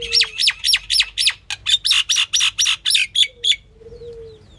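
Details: A female common myna gives a fast string of harsh, grating calls. Early notes swoop downward, later ones turn buzzier and more clipped, about four per second, then it falls silent over a faint low hum.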